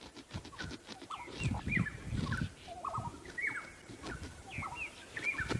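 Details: Several black-headed orioles, perhaps six, call on 5 October 2016 during the breeding season, possibly in a territorial dispute, giving short liquid whistles and downslurred notes in scattered bursts over a steady low rumble of wind or handling noise.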